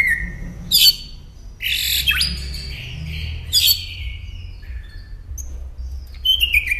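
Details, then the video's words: Northern mockingbird recording meant for caged songbird training: varied, high, sliding whistles and buzzy phrases with sudden changes in pattern, separated by short gaps, over a low hum. "Masteran Pintar Burung Kicau Northern Mockingbird"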